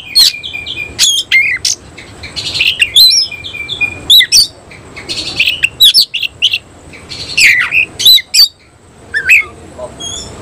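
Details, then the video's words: A semi cililin oriental magpie-robin in fierce song, tail spread; quick chips, bright whistles and twisting sweeps, with a few short steady tones and a brief buzzy patch, spaced by short silences. "Kacer langsung NEMBAK NGOBRA BUKA EKOR"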